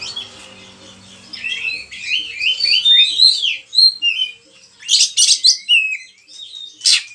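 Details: Oriental magpie-robin, kacer, in full varied song meant to provoke and tutor other birds: quiet start, then fast run of rising and falling whistles and buzzy high bursts, many short phrases.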